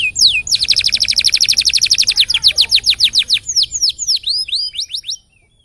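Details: Canary performing an extended rolling song meant for tutoring other birds: a fast, even trill of repeated notes running several seconds, then slower descending whistled swoops before it stops abruptly; faint low background hum.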